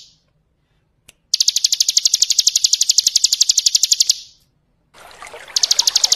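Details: Ngebren song of a bar-winged prinia, a training recording for other birds. A long burst of rapid, high, evenly repeated notes fades out, followed by a rushing water sound as the notes resume.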